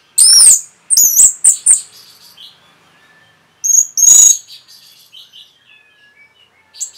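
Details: Training song of the orange-headed thrush, used to prompt caged birds: very high, loud chirped notes in quick groups, then quiet soft twitters, then another piercing high burst and trailing thin notes.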